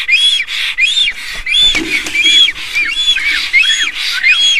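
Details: Black storks in Estonia on 07/04/2019, giving a loud greeting during preening and courtship: rapid series of arched, wheezy whistled notes, roughly 85 per minute, with a faint low rustle partway through.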